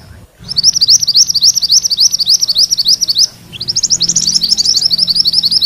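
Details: Mantenan kuning, male or female, delivering a loud ngerol roll meant as tutor song for magpie-robins: rapid high rattling notes for three seconds, a short gap, then a second rolling burst.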